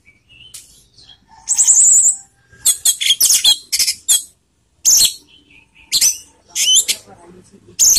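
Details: Orange-headed thrush song, used to raise emotion and breeding urge: a busy run of high, varied phrases mixing sharp chirps, thin whistles and scratchy notes, delivered in short bursts with brief pauses.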